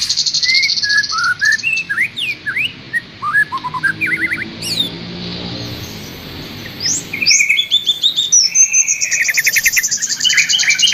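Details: Master song played to train a caged trocok bird: loud, varied sequence of slurred whistles and sharp downslurred notes, a quieter pause midway, then rapid high buzzy trills and chattering phrases.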